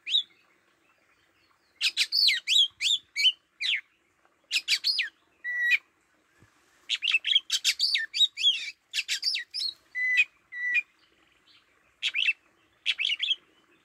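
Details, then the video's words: Oriental magpie-robin used as a lure bird, singing in the plaintive style: bursts of rich, varied whistles, sharp chips and warbled notes, with steady held whistles between bursts and short silent pauses. "Tiếng Chích chòe than mồi hót"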